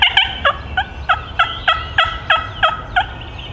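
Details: Male wild turkey responding to hunter's calls while coming in from far off, gobbling continuously: a loud, close, rapid rattle of about twelve throaty pulses, roughly three per second, over faint low background rumble.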